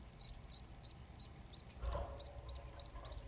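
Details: Society finch nestlings, three chicks fed by their father, give evenly spaced high, hooked chirps about three per second, over low rumbling handling noise and a thud midway.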